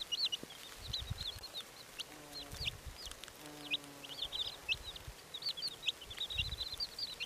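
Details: Several red Silkie chicks giving rapid high peeps and short rising chirps throughout, with a few soft low thumps and a brief low hum in the background.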